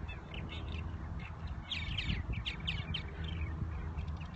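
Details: Several purple martins in spring at Irving Park by Lake Michigan, Chicago, give rich, gurgling chirps and croaks in quick overlapping bursts over a heavy low rumble of wind.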